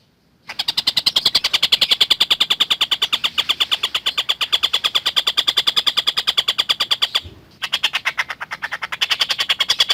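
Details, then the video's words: Steady chattering collared kingfisher recorded as a lovebird tutor: one long run of fast, hard, clipped notes lasting almost seven seconds, a brief pause, then the rapid rattling series resumes. "Burung Tengkek Buto Gacor"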